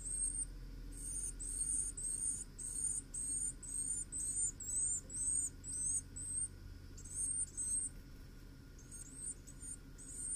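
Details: Carolina wren at its nest, picked up by a nest camera. Thin, very high notes come in short runs, about two per second, with brief pauses between bursts. A steady low electrical hum lies underneath.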